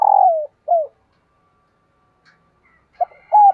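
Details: Female dove calling to stimulate males: a long descending coo, a short dip-shaped note, a pause, then two further clipped coos near the end.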